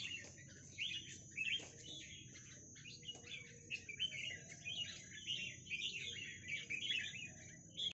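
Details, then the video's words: Red-whiskered bulbul song of lively, chirping warbled notes in rapid clustered phrases, repeated through the recording with short gaps, accompanied by a constant faint high-pitched whine and low rumble. "Merbah jambul"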